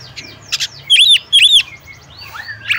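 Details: Female oriental magpie-robin calling to a male: soft chirps, then two loud arched whistles about half a second apart, followed by faint rising and falling notes, with a low hum behind.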